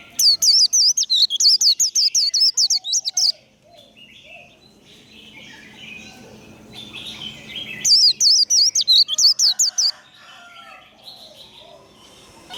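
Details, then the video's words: Caged warbling white-eye in líu fighting-song training. Two separate bursts of rapid, bright whistled notes about five seconds apart, with soft twittering from other birds filling the pause. "Vành khuyên líu đấu. Khuyên líu kích bổi. Kích lửa vành khuyên líu đấu"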